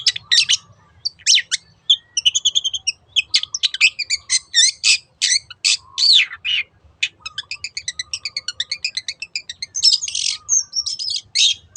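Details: Long-tailed shrike in 'teot teot' song, meant as a lure to set other birds singing. A long run of harsh chatter and squeaks, including a fast, even trill of repeated notes in the second half, with a faint low hum beneath.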